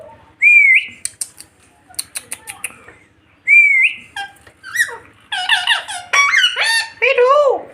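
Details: Pet Indian ringneck parakeets indoors, said to be playfully teasing each other: two rising whistled notes, a run of sharp clicks, then harsh harmonic talking-like calls, with repeated words like "me too" and "mommy" heard.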